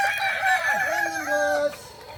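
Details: Kukuak balenggek chicken crowing at a final practice singing contest in Ampang Kualo, Kota Solok, on Sunday 8 September 2024; a long, stepped crow of several linked notes, with a steady low held tone sliding down near the end.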